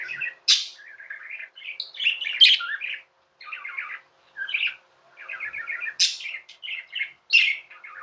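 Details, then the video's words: Pet budgerigars, tamed, chattering: repeated quick runs of buzzy beaded notes broken by sharp, loud high chirps, steady warbling throughout with only short breaks. "Budgies | Talking | Singing | Chirping sounds"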